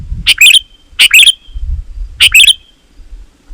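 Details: Three lively chirping phrases from a sooty-headed bulbul, each sliding down then flicking up into a thin whistle, sung to call other bulbuls; faint low thumping noise sits underneath.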